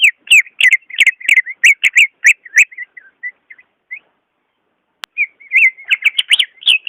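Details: Song of the greater green leafbird, meant to stir a quiet caged leafbird: fast sequences of sharp, rich whistled notes, a softer wandering section, a pause with a single click, then another energetic, varied whistled outburst.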